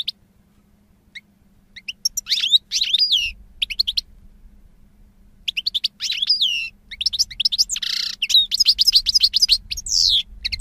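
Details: European goldfinch song in bursts of rapid liquid twitters and trills separated by short pauses, with one harsh buzzy passage, a faint hum throughout.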